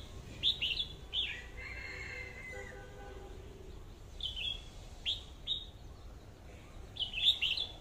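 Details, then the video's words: A red-whiskered bulbul decoy bird, one of two, singing in an 'AK' voice: crisp, high whistled notes in short bursts, a few doubled, with a soft warbled passage early on and quiet background chirps. "tiếng hót chim chào mào mồi/sâu đầu đỏ cọp giọng AK"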